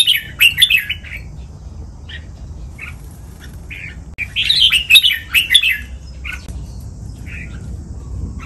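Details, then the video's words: Captive red-whiskered bulbul song for teaching caged birds to copy, in the Thai doubled '23 counted notes', master-pattern, lak wai and Pa La-u styles: two bursts of bright, warbled, quickly repeated notes separated by short sparse chirps. "นกกรงหัวจุก | รวมเสียงร้องเบิ้ล 23 นับดอก แม่บท ลากหวาย เพลงป่าละอู คมชัด 100% ไว้ก็อปนก"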